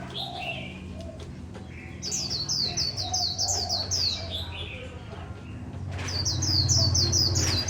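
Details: Japanese white-eye singing a fast, high twittering run of thin, slurred notes, repeated in two bursts over a steady low hum and rumbling background noise.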